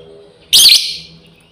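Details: Female lovebird calling to companions: one loud, harsh, shrill screech lasting about a quarter second, fading with echo, against a quiet background.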